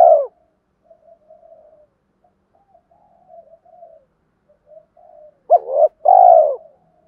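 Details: Daily spotted dove cooing meant to excite decoy birds, 'two-ending' style; a brief low coo, several seconds of faint soft murmuring, then a clear phrase of a quick double note and a long, falling, mellow coo.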